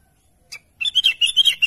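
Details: A sooty-headed bulbul calls to its companions, opening with one short faint chirp, then after a pause a string of rapid bright twittering notes, rising and falling slightly, repeated in quick pulses.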